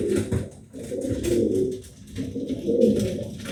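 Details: Nesting pet pigeon indoors producing three swelling bouts of low, throaty cooing, each about a second long and separated by short dips.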